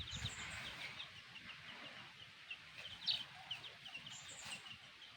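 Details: Chicks with their black hen give scattered high, thin peeps, some slurred downward, over a soft outdoor background hiss.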